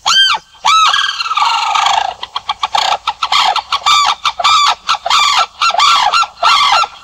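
A sarus crane gives loud, ringing trumpet notes, at first spaced, then in a quick rattling run, then in steady blasts about twice a second.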